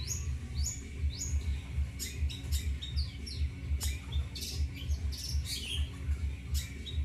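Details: Kept long-tailed shrike responding to coughs with scattered short, high squeaky notes and downslurred chirps over a loud, regularly pulsing low mechanical hum.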